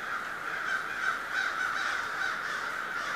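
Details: Large flock of crows at Schenley Farms, Oakland, Pittsburgh, on October 25, 2013, in the city: a dense, continuous chorus of overlapping harsh caws with no gaps.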